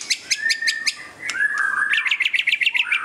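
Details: White-rumped shama song in display: a row of quick, evenly spaced sharp notes, a held whistle, then a rapid rattling trill of bright chips.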